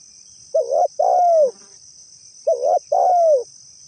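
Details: Two soft cooing phrases from a spotted dove, a lure call: each a quick wavering double note then a sustained downward-sliding coo, about two seconds apart, with a constant high hum in the background.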